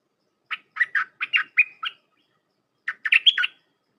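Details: Red-whiskered bulbul in 'dok taeng' song style, used to train hand-reared young: a string of seven rhythmic chirps, a short pause, then a lively phrase of rolling, whistled notes.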